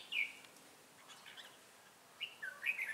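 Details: Trapping red-whiskered bulbuls of the Ché type in Bình Phước, Vietnam, 25 June 2018, with a decoy calling wild birds: a loud whistled phrase opens, then soft chirps follow, and a lively warbled burst comes toward the end.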